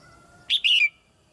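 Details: Female red-whiskered bulbul, caged, singing so that newly matured birds sing more; one loud clear phrase made of a short rising chirp and a drawn-out warbling note that drops at the end.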